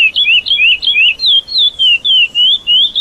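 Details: Classic praia song of a lesser seed finch, meant for teaching youngsters and improving adult singing: repeated pure whistled phrases, alternating looping up-and-down notes, steady rhythm about three notes per second, clean background.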